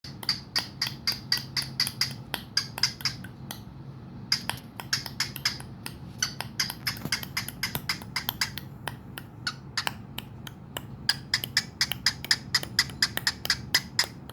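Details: Cockatiel (Nymphicus hollandicus) and a person trading sharp tongue clicks back and forth, quick and irregular, over a faint steady hum.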